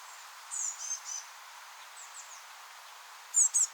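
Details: Fledgling Eurasian blue tits fresh out of the nest in a rowan, begging as they are fed: a few high, sliding chirps early on, faint whispery notes, then two sharp, piercing high calls near the end.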